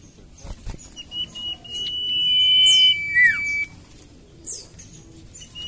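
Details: Common iora: a sustained level whistle over a second long, then a sharp downward slur and a second long whistle, with faint high sweeping notes nearby.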